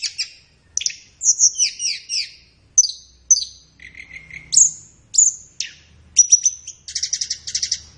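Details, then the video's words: Tledekan, a flowerpecker, singing a high masteran phrase meant for tutoring caged birds: sharp chip notes, paired downslurred whistles, a brief lower buzzy note, then a dense rattling trill at the end. "Masteran Terbaik Tledekan"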